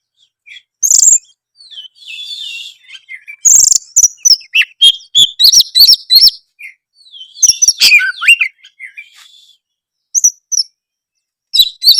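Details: Oriental magpie-robin in loud, energetic song meant to make silent birds answer: rapid bursts of varied sharp whistles, rising and falling slurs and chattering notes, separated by short pauses.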